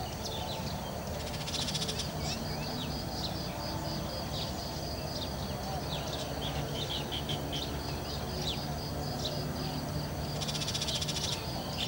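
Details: Burmese shrike on a Saturday morning, 7 November 2015, in a village in Chiang Mai, Thailand, giving harsh, rasping chatter bursts amid scattered high chips and twitters, over a steady low background rumble.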